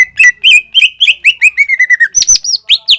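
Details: Greater green leafbird singing continuously to stir learning leafbirds into song: rapid slurred whistles run together, sliding downward in a long chain before jumping to higher, sharper notes near the end.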